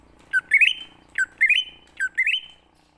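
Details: Greater green leafbird, forest-style (ngalas) lure song meant to call untrained or non-singing leafbirds into answering: a loud, clear whistled phrase that slurs upward in twisting notes, repeated three times about every 0.8 seconds, with no other sounds.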